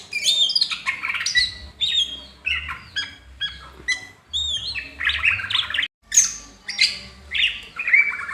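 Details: Tail-fanning greater green leafbird in a training recording, pouring out busy phrases of bright chirps, slurred whistles and buzzy notes, grouped in bursts about a second long with short gaps between them.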